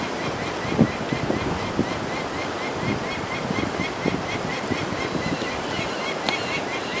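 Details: Peregrine falcon at Chief Rock, northern Taiwan coast, 24 May 2020: parent and chick seem to converse, giving a steady run of short, sharp notes, about three per second, over constant surf and wind.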